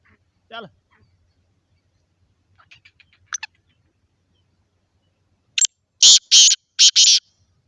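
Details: Black francolin from Khushab: after a few scattered faint notes, a loud harsh series of grating, broadband calls, four rapid bursts in under two seconds near the end.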